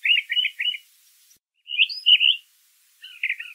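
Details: Brown thrasher singing in nature: loud high phrases of three quick notes, a pause, then a burst of bright slurred notes and a lower doubled phrase, over a quiet background.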